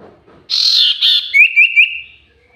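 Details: Common iora kept as a lure bird and described as very vocal: a short harsh burst, then a clear whistled note, three quick upward flicks in a row and a level tone that fades out.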